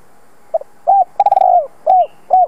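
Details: A single cooing phrase from a spotted dove calling to attract wild birds: short opening note, a hoot, a long tremulous coo, then two falling hoots, with a thin high whistle near the end.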